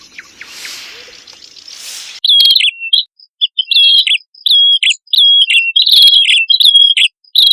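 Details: Male and female prinia (prenjak kepala merah) singing vigorously, used as a lure for birds: after two seconds of faint hiss, sharp high chirps and short buzzy trills come in rapid broken phrases, with a faint steady high tone behind.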